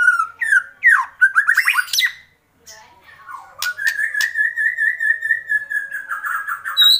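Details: Excited white-rumped shama doing kretekan: looping whistled slurs and a fast rising twitter, a short silence, then a long steady buzzy trill.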